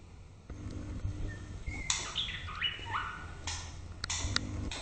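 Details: White-rumped shama in the morning, starting after a quiet second with pure whistled notes stepping down in pitch, then sharper clipped phrases, faint low rumble throughout.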